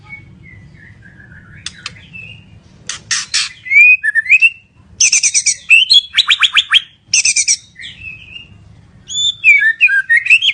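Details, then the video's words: White-rumped shama song mixing soft whistled slurs, harsh buzzy bursts and rich descending notes, delivered in separated phrases with brief quiet gaps. "Murai Batu Gacor"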